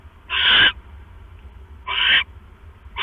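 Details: Owl male bringing a rat to the nest at night while the female sits on her eggs; harsh raspy screeching calls, two long ones about 1.5 seconds apart, with low steady hum beneath.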